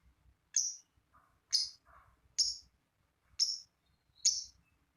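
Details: Lovebird used to prompt other lovebirds to sing, giving five sharp high chirps about one second apart, with softer low twitters between them.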